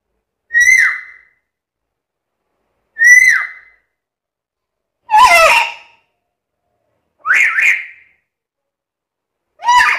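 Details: Chatty, talking black-capped lory giving five separate loud calls about two seconds apart. Some are short downslurred whistles, others are harsher, rougher squawks. Silence between the calls.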